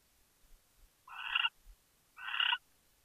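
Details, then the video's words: Owl chittering in Chula Vista, California, on 23 January 2013 at 5:43 PM: two harsh, rasping bursts about a second apart, each roughly half a second long, in an otherwise quiet setting with faint low thumps. "Chitter, Chitter, Chitter"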